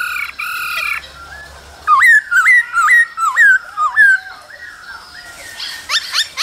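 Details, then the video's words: Male laughingthrush singing and dancing alongside a female's calls in the cold season. Whistled, slurred notes rise and fall in a quick repeated run of about two per second, then end in sharp, high, rising notes. A harsh, buzzy sound opens the recording. "Khướu trống hót múa kèm tiếng mái ro kích bổi mùa lạnh"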